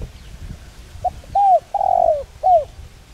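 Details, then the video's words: Spotted dove giving its calling coo, a voice used to lure and train decoy birds: one low phrase with a short note, an arched coo, a long falling coo and a final arched coo. Faint rural background. "Cu gáy Gáy Gọi giọng sát bổi kích mồi tập bổi hiệu quả/kích bổi nhanh gáy"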